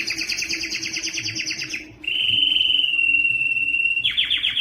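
A Timbrado canary sings a fast, rattling trill of about four notes per second, then a long steady metallic tone, then breaks back into quick trilling.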